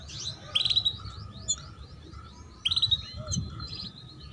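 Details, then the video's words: A female canary utters chirps meant to prompt young canaries to start singing and to raise their breeding drive: two sharp, buzzy chirp bursts with soft trailing twitters, over a constant low background rumble. "Pancingan Kenari BETINA Cuit Cuit || Masteran Kenari PAUD Agar Cepat Bunyi Dan Menaikan Birahi"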